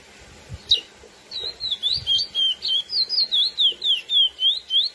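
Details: Curió, the lesser seed finch, in its classic song used to excite females: after a sharp opening note, a steady series of high sliding whistles, about four per second, swooping down and up in a lively chain.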